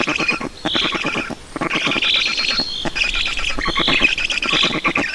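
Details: Estonian Black stork young calling for food during a feeding on 5 June 2019. Repeated hoarse, hissing squeals rise and fall in short bursts over rapid rattling clicks.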